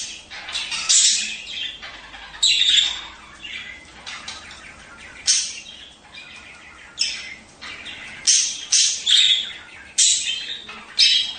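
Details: Budgerigars, sounds used to encourage breeding: loud scratchy squawks in separate bursts, mixed with brief warbled chirps and a few sharp whistled notes, with quieter chatter in between.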